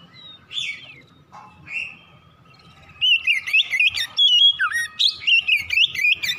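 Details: Oriental magpie-robin song at morning, played to stimulate fast singing; faint, scattered notes at first, then after a pause a loud, rapid stream of varied whistles and warbled twists over a low rumble.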